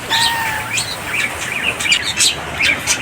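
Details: A hand-raised young bulbul, tame and able to fly, answers a person's call at about 8 am, hungry before feeding, with quick, sharp, high chirps, several each second. A thin steady whistle at the start is likely the person calling.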